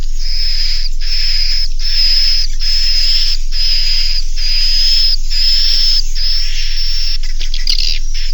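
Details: Inap roosting sound for edible-nest swiftlets, Naga Mas style, meant to settle young birds in a swiftlet house: a fast, regular train of short buzzy chirps topped by a bright whistled tone, with scratchy clicks near the end.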